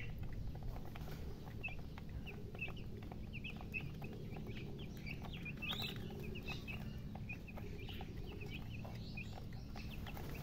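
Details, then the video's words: A group of chicks peeps steadily, their short high chirps blending into a soft continuous chatter under a droning low hum and occasional faint clicks. "Baby "Chicks Chirping" Sound"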